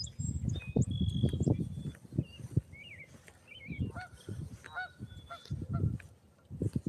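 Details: Canada geese honking noisily in a park during a walk; several short nasal honks at mid pitch, mixed with footsteps, rustling and a man talking over low rumbling noise.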